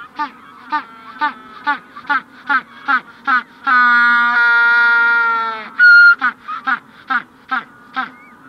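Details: Adult Magellanic penguin at close range gives ecstatic braying calls: quick honking notes about two a second build to a long, donkey-like drawn-out bray, then more honks, with the general colony calling faintly behind.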